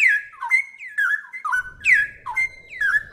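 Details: Straw-headed bulbul (cucak rowo) song, clear and loud: bubbly falling whistles joined to level fluty notes, repeated in quick succession, with a faint low rumble entering halfway through.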